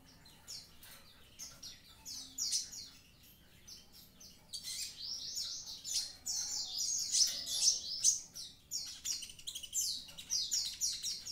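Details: Javan pied starling in vigorous song, starting with scattered chirps and building into a continuous rapid chatter of rasping, squeaky and whistled notes that stay high-pitched and busy to the end.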